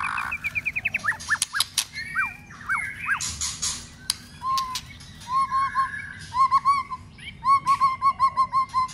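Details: White-rumped shama being stimulated and trained to sing for song contests: a varied, loud song of rapid rising whistled notes in a fast series, then looping slurred phrases, sharp clicks and repeated chirps near one pitch, often in quick runs.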